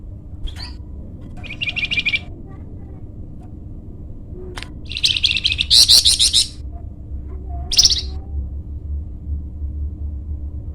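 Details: Flamboyan bird in lively song, meant for luring wild birds or training songbirds: scattered high chattering bursts, one longer loud trill in the middle and a sharp final burst, amid a low background hum.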